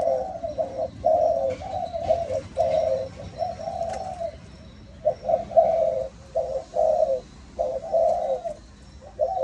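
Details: Malaysian-line spotted dove in the 'âm thổ' voice style. It sings a long run of evenly pulsed, mellow low coos, grouped into phrases with short pauses, against a noisy, humming background.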